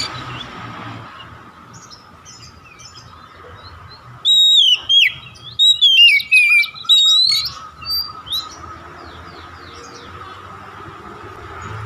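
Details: Oriental magpie-robin (kacer) song used to stimulate other kacer to sing: a lively varied phrase of rapid whistled notes and warbles lasting about three seconds amid quiet background hum.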